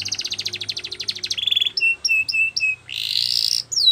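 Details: Canary song meant for training canaries: a fast buzzy trill of rapid notes, one short note, then four clear down-slurred whistles, a harsh broad burst and a final falling whistle.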